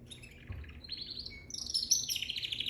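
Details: Baby canary singing: a faint, brief start, then from about halfway a brighter run of high chirps and short trills, with one steady whistled note before louder warbling at the end.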